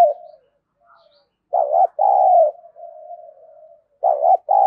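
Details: Decoy spotted dove calling to provoke rivals: a strong double coo, quick dip then a drawn-out note, followed by a long soft humming coo, then the loud double phrase starts again.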